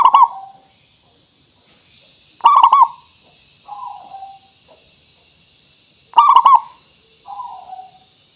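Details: Zebra dove, local perkutut singing as a lure to prompt other birds to call: bubbly rolling coo phrases roughly every four seconds, each followed by a softer trailing coo.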